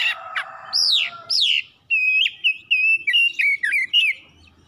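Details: Home-kept oriental magpie-robin song meant to prompt another bird to sing: rising and falling whistled slurs, then a run of quick wavering whistles, with a low hum at the start.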